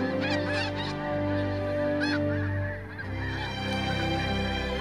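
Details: Thousands of Siberian Snow Geese arriving in autumn to winter on the Fraser delta give a constant clamor of nasal, barking honks, many calling over one another rapidly, over a steady low hum.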